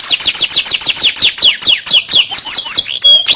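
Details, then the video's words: Canary singing a long energetic song used to stimulate other canaries to sing: fast series of repeated descending whistled notes, bright and buzzy, about four per second, ending with a short trill. "PANCINGAN KENARI GACOR PANJANG | CANARY SINGING"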